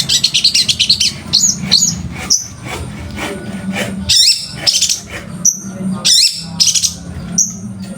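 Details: Long-tailed shrike master song packed with varied material: rapid high chirps, trills and sharp whistled notes in irregular bursts, over a steady low hum.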